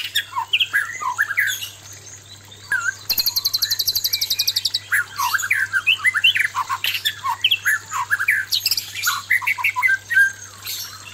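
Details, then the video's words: White-rumped shama male confronting a fierce female, a recording meant to raise breeding urge; fast rattling trill early, then dense whistled and warbled phrases with short squawky notes. "suara murai batu jantan menghadapi betina galak"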